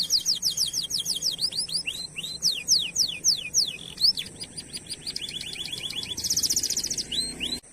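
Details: Canary singing, used as a lure to stimulate other canaries to sing: fast runs of high sweeping whistled notes, descending slurs and rapid trills repeated several times a second, ending in a dense buzzy rolling phrase, steady low hum underneath.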